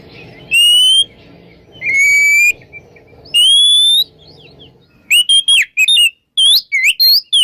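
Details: Oriental magpie-robin in the morning, ngeplong song used to lure silent magpie-robins into singing. Three long drawn whistles, the last rising, are followed by quick sweeping notes, with a low hum underneath.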